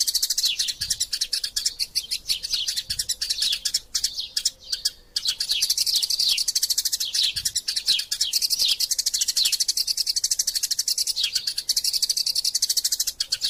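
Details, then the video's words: Long stretch of quarrelling Eurasian tree sparrows, recorded as training sound for magpie-robins: unbroken, busy high twittering and chirping with many downward-sweeping notes, two short pauses near the middle. "Burung Gereja Tarung Gacor Passer Montanus passeridae Eurasian Tree Sparrow erasia suara masteran"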